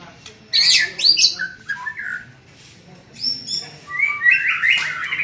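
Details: Young white-rumped shama in training, giving loud high harsh notes then rich whistled and warbled phrases in two bursts with a quiet gap between, over a faint low hum.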